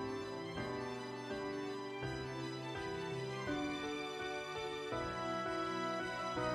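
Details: Soft, sad instrumental background music with sustained chords plays throughout, and no animal sound is heard.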